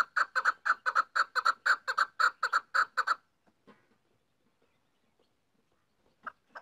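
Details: Female chukar partridge delivering a fast run of loud clucks for three seconds, then near silence with faint rustles, and two more clucks near the end.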